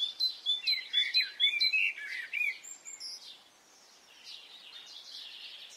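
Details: Spring morning in Brittany, France: a burst of loud, high chirping notes in quick succession, some sliding down, fades after about three seconds into a soft wash of distant birdsong.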